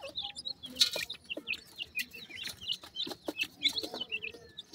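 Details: Young pheasant chicks call to their mother at feeding time; sharp, high descending peeps come in quick runs, interrupted by loud clicking and scraping sounds.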